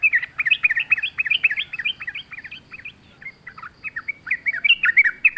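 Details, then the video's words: Wild sooty-headed bulbul singing energetically amid nature sounds, a lure recording for training caged birds: a continuous run of quick bubbly, warbling whistled notes bouncing up and down, with a brief lull midway. "trucuk gacor ngalas full suara alam"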